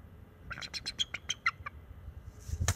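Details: Bald eagle pair defending their wild nest from an owl perched nearby, NCTC nest camera, March 7, 2024; young male leads. A rapid chatter of about ten shrill, clipped notes that step down in pitch, followed by a rustle.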